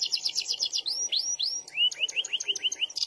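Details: Canary, SF type, in lively song: a quick buzzy rattle, then a few rising-falling whistled swoops, followed by a steady string of short, lower slurred notes.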